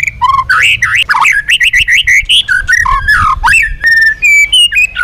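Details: Loud, varied forest-voice song of a White-rumped shama used for training: rich, fluty whistles that rise and fall, rapid phrase changes, and some sharp high accents, sung without pause.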